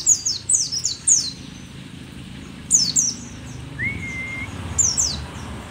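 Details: Aged mountain white-eye, the rare Merapi pleci dakun, pours out quick runs of very high, sharp, descending chirps in three bursts, with a single rising-then-level whistle in the middle.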